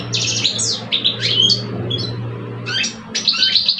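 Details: Two male European goldfinches kept in cages in Algeria, one older and one two years old, in a singing contest: bright slurred chirps and twitters, a pause, then a quick buzzy flourish, over a steady low hum.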